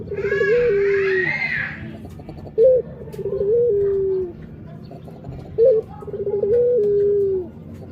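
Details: Rhythmic Barbary dove coos, each a sharp short note and then a long stepped coo that tapers down, repeated about every three seconds. A high wailing, crying-like voice overlaps the first phrase.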